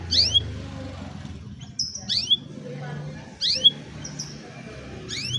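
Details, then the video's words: Canary song for training a reluctant singer, captured on a cellphone: clear upswept whistles with falling tails, repeated in pairs roughly every one and a half seconds, short high buzzes between, over a low hum. "Canción Canaria para Cantar Canario Perezoso Entrenamiento | Canary Singing"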